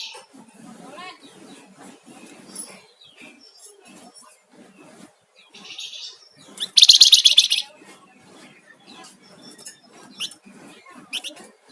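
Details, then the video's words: Flamboyan songbird singing actively, a loud, rapid, buzzy high trill bursting out for about a second amid scattered soft chirps and low rustling chatter. "Suara Burung Flamboyan Gacor"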